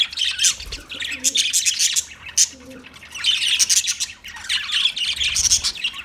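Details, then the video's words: Pet budgerigar chatter: scratchy high chirps and squawky bursts in three main bouts separated by short lulls, with a couple of faint lower tonal notes in the gaps. "Beautiful Budgie Sounds"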